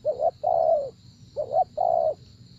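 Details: Spotted dove, used for trapping, giving two quick coo phrases, each a short rising double note followed by a drawn-out, even coo, set against a low hum and a faint high whine.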